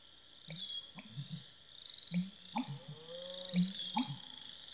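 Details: American bittern (Botaurus lentiginosus) calling, deep, hollow gulping notes in low, resonant bursts roughly every second, over a steady high insect drone.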